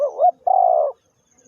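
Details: Spotted dove cooing close up: a short wavering low note, a brief pause, then a longer steady, slightly hoarse coo of about half a second, with nothing else audible behind it.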